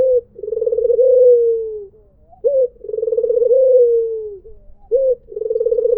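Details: White Barbary dove giving its melodious "mpuk jeruuu" call: a short clipped note, then a long rolling trilled coo that slides gently downward, repeated about every two and a half seconds, with a quiet background.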